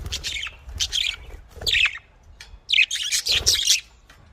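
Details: Budgerigar chatter: raspy, warbled bursts of high notes in short phrases, a brief lull in the middle, then a louder, busier run of scratchy calls.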